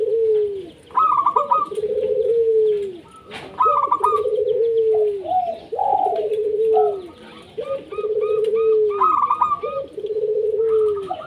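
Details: Local Indonesian zebra doves singing busily to prompt other doves: stuttered high coo phrases and long, falling, purring low notes overlap and repeat almost without pause, with several birds seemingly calling together.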